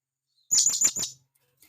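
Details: A brief burst of four fast, squeaky, very high notes from a wild blue-crowned hanging parrot calling its companions.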